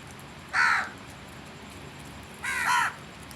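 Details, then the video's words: Two hoarse, drawn-out crow caws, the second slightly longer and falling in pitch, separated by about two seconds of quiet background. "Crows Sounds"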